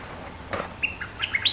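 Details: Caged bulbul, kept two months, singing as a lure bird: a quick run of short whistled notes rising and stepping between mid and high pitches, preceded by a soft rustle, over light background hiss.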